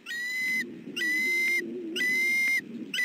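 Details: Bald eagle male guarding his nest and family against an approaching intruder, southwest Florida, 28 December 2013: long, steady, piercing whistled cries of about half a second, given in a regular series over a low murmuring background.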